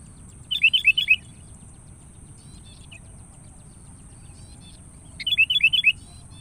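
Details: Lure call of a Sooty-headed bulbul challenging a rival: two bubbly, chattering phrases of rapid whistled notes about four and a half seconds apart, with quiet between them.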